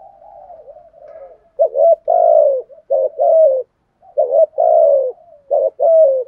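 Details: Spotted dove cooing, used to lure wild doves: a soft wavering murmur first, then repeated phrases of two short coos and one long descending coo, about two phrases in six seconds.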